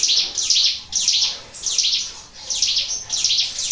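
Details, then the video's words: Sunda warbler, called ciblek gunung, in a lure recording of natural song: high, bright chirping bursts repeated almost twice a second, each a quick cluster of sharp notes, with steady hiss in the background. "PANCINGAN CIGUN SUARA ALAM"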